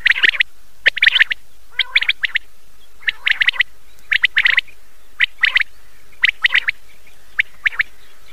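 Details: Common quail calling at night, from an old cassette recording: sharp, high clipped notes in tight groups of two or three, repeated about once a second, with a few lower rasping notes between.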